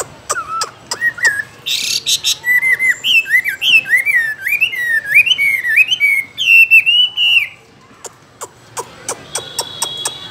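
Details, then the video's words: A caged Chinese hwamei sings a loud run of rich, rising-and-falling whistles that slur up and down over about five seconds, framed by sharp clicking chips before and after. "chú họa mi hót như này"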